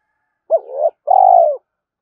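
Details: One full spotted dove phrase, given in the morning to challenge a rival: a sharp short coo swelling into a rising note, then a sustained, pulsing, gently falling croon.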